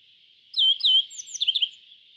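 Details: A yellow bunting gives two loud, downslurred whistled notes, then a quick cluster of thinner chirps, against a constant high-pitched background hiss.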